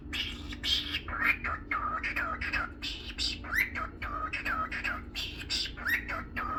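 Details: A young pet cockatiel talks and sings, chattering and whistling clear rising-and-falling notes that run into speech-like babble.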